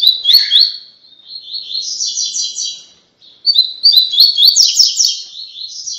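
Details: Training song in the tui tui style from a double-collared seedeater for brown-plumaged captive birds: long runs of loud, high, rapid chirped notes, briefly broken by a short pause midway, then resuming even more intensely.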